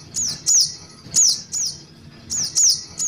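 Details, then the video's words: High, thin chipping of a juvenile Little Spiderhunter from a lure recording, each note a quick falling slur, delivered singly or in pairs with brief gaps, over a quiet low hum. "Suara Pikat Anakan Burung Sogok Ontong"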